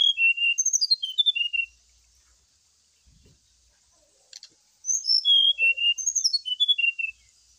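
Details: Brown-chested jungle flycatcher song used as a lure during morning dew-airing: two phrases of high whistled notes, each stepping downward into short repeated whistles, separated by a pause with a faint tap, over steady hiss.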